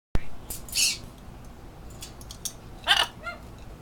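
A parrot imitates a sneeze: two sharp, hissing bursts about two seconds apart, the second trailing into short squeaky chirps, over a low background hum.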